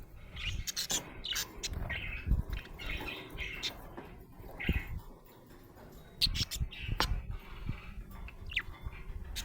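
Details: Happy budgerigar chirping: scattered short warbled chirps and squeaks, with low thumps and rustling beneath and a faint voice in the background.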